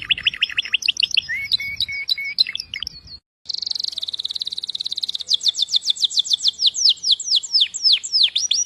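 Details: Canary singing a rapid, varied song of high, sharp repeated notes, trills of fast descending sweeps, a short steady tone, then a brief pause before a long accelerating series of downslurred chirps.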